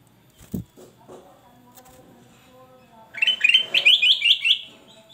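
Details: Male black-crested bulbul singing loudly: after a knock and a low hum, a fast, bright phrase of chained, slurred whistles runs for about a second and a half.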